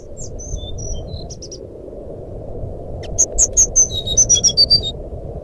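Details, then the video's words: Fluting jungle flycatcher song, a lure to make a silent bird sing: a few thin high whistles, a pause, then an energetic series of about twelve ringing whistled notes dropping in pitch, over steady low noise. "suara burung sikatan rimba nyuling pancingan SRDC macet bunyi"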